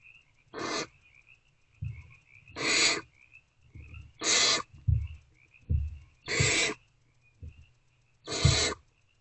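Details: Barn owlets snuggling together in a nest box at night, between 1:28 and 3:20 am on 3/2/24; loud rasping hisses of about half a second repeat every two seconds or so, with faint high chittering and soft bumps between them.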